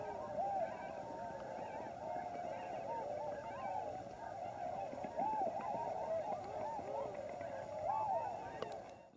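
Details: Large wintering gathering of Tundra Swans at Lower Klamath National Wildlife Refuge, Oregon/California border; massed honking chorus of overlapping bugle-like notes, swelling slightly near the end before cutting off.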